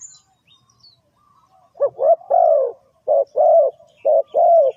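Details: Spotted dove calling, a sound used to lure birds into a trap: after a quiet opening comes a run of deep, mellow coos in paired notes, about six notes in three seconds, clear against a silent background.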